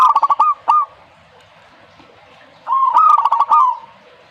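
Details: Zebra dove singing two bursts of rapid, stuttering coos. Each burst holds tight pulses that roll into a brief trill, with a quiet pause of about two seconds between the phrases.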